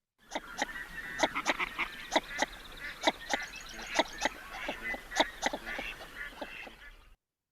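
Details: Northern Shoveler, a chatty duck, giving its distinctive "so so so" call, often heard in flight: short, nasal, clipped notes in an uneven series, about one a second, over soft background duck chatter.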